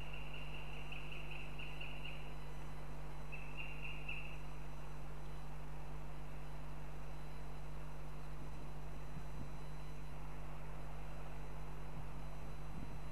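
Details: Northern goshawk female at Riga, Latvia, calling to her partner for food on a live stream: two bursts of fast, high chattering notes, the first about two seconds long, the second shorter, then steady low electrical hum.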